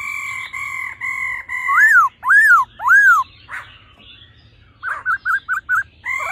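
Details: Laughingthrush pair, a female calling and a male singing in a mature wild-style voice, played to rouse males quickly: four steady paired whistles, then three loud arching slurred notes, a rasp, and a quick series of five short clipped whistles.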